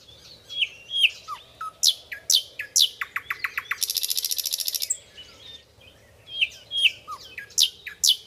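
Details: Nightingale singing as a tutor recording for cage birds: sharp whistled and slurred notes, then a fast run of clicking notes that merges into a dense buzzy rattle, before the varied whistles return. A faint low hum runs underneath.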